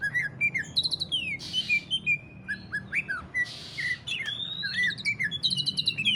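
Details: 'Ngentrok' song of a greater green leafbird, meant to prompt other leafbirds into singing: clear whistled slurs and rising sweeps mixed with quick chirps, broken by two harsh, noisy rasps, with a faint low hum behind.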